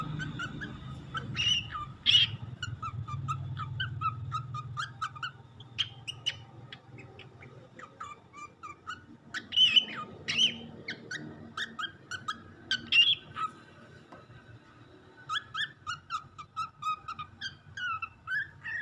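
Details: A four-month-old lutino cockatiel, learning to talk, whistles bright, chirpy phrases in short bursts over a low hum; cockatiel song.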